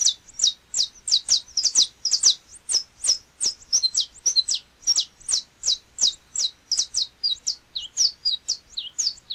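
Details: A Saffron Finch, the Brazilian canário-da-terra, from a region that includes Minas Gerais, Mato Grosso, São Paulo, Goiás and Espírito Santo. It sings a long, fast run of sharp, high chirps, several per second, in a clean recording.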